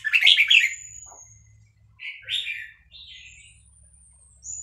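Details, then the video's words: A caged Vietnamese red-whiskered bulbul, aroused by a chick recording, opens with a loud rapid warbled phrase, followed by softer warbles and a thin high whistle, over a low rumbling hum. "นกกรงหัวจุกเวียดนาม ต่อดอกเร็ว เปิดยั้วลูกนกฟักแล้วคึกร้องตาม"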